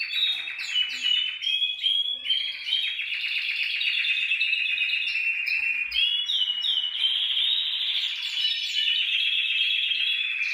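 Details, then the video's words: Canary singing continuously: rapid, high, chattering trills that change tempo and pitch. Buzzy rolls and sharp clicking notes give way to a sustained bright warble. "CANTO CANARIOS"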